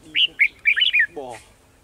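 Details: Close red-whiskered bulbul singing at a trapping site for wild birds, December 18, 2020: two short clear whistles, then a tumbling run of liquid warbled notes, ending with a brief harsh voice-like sound.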